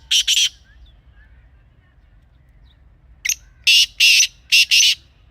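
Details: Kala teetar (black francolin) recorded in a natural setting: two harsh notes, a silent pause of about three seconds, then a full phrase of a short note and four rasping, grating notes.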